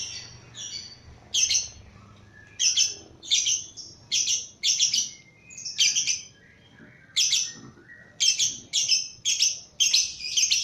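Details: Excited lovebird stirred up by a lure recording, its ngekek chatter coming in loud, harsh high bursts about every half second to second, with short quiet gaps between, over a nearly silent background.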